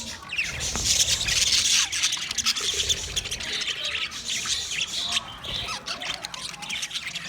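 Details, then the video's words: Chattering green budgerigar: a long, scratchy warble of rapid high chirps and grating squawks, loudest at the start and easing slightly toward the end. "Green Budgie sound sound of Budgie birds"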